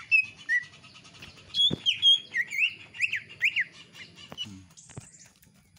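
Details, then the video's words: Greater green leafbird kept at home, with iora-like song notes: a varied series of whistles and sharp slurred chirps, roughly two a second, some overlapping, against a soft low hum. "CUKAK IJO X CIPOH GACOR PARAH"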